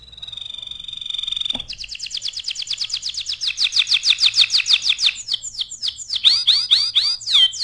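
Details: Canary master song for tutoring other birds: a thin, sustained high trill, then a loud, rhythmic series of pulsed chirps that changes into fast, sweeping notes.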